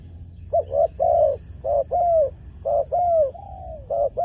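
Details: Spotted dove kept as a decoy for luring wild doves. It makes a run of mid-pitched coos, short notes mixed with longer drawn-out falling ones, over a low steady hum.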